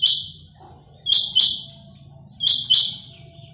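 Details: Quail giving loud, harsh, buzzy high-pitched bursts in close pairs, each burst short and noisy, one pair shortly after the start of the clip and another about 1.4 seconds later, over a faint low hum.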